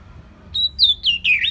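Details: Orange-headed thrush singing as a training lure for songbirds: three short clear whistles stepping downward in pitch, each slurring lower than the last, after a brief quiet pause.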